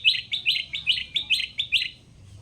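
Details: Caged Sooty-headed bulbul, originally trapped wild, giving a crisp series of about seven sharp, evenly repeated chirps, each one short and bright, with a quiet low hum behind.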